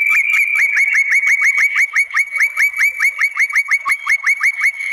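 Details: White-rumped shama provoking song for rival shamas: one clipped, downward-flicking whistle repeated rapidly about five times per second in a steady, pulsing series.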